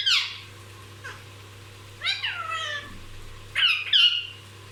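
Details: Talking parrot kept as a pet, uttering scratchy, nasal, meow-like calls: a harsh opening burst, a faint note, a long wavering phrase, then two quick strained calls near the end, over a constant low hum.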